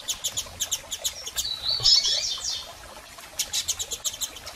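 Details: Male and female double-collared seedeater calls for stimulating a male: evenly spaced high clicking pulses, several per second, interrupted by a brief buzzy chattering burst near two seconds.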